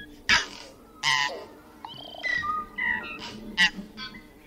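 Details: Tui song mixing harsh wheezy bursts with pure whistled notes at varied pitches, several loud rasping outbursts spaced about a second apart, over a faint background hum.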